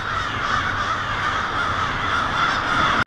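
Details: Hundreds, perhaps thousands, of American crows gather noisily to roost for the night along a street in Lansing, Michigan, on a winter evening, 1 February 2016. Overlapping caws merge into a dense, continuous racket.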